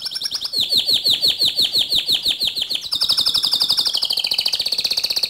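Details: Canary in full song for training other canaries: a long run of rapid chopped high notes at a steady beat, shifting into a faster rolling trill that slides slightly downward.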